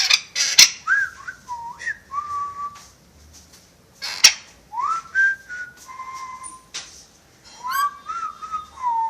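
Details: Pet parrot whistling in a small room, known for wolf whistles and film tunes: scattered rising and falling whistled phrases separated by gaps, with sharp clicks and faint background rustle.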